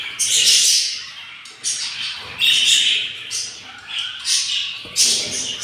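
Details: Four-egg nest of yellow budgerigars, day 7: hungry chicks give harsh, raspy squawks in swelling bursts with brief pauses between them.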